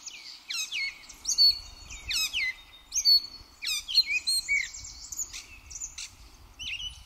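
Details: Song of a gray catbird at Pleasant Valley Wildlife Sanctuary, recorded 4 May 2024: rapid sequence of scratchy, slurred and squeaky notes, some descending sweeps, phrases changing constantly with brief gaps between, over quiet low-pitched ambient noise.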